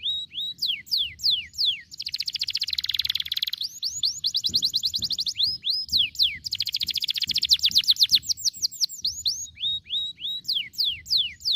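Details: Canary singing long rapid rolls of high, rippling notes broken by brief sweeping whistles in a continuous bright stream; a recording meant to prompt young canaries to roll long.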